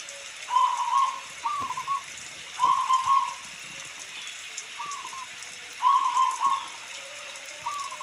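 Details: Local zebra dove song recorded during rain: paired phrases of a rippling trilled coo followed by a short upturned note, repeated about every two and a half seconds.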